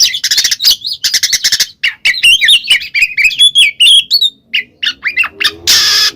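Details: Black magpie-robin singing ngeplong style to draw a silent bird into song: dense harsh raspy bursts give way to varied high whistled warbles and chirps, ending with a loud broadband rasp.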